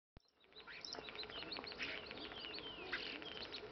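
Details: Common starling (Sturnus vulgaris), song.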